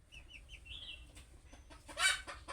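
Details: Budgerigar chick calling to other budgerigars: a short string of wavering chirps drawn into a longer warbled note, followed by a loud broadband rustle or clatter.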